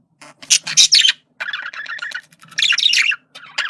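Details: Male budgerigar chattering in communication, loud scratchy squawks followed by a continuous buzzy warble and another burst of harsh chatter.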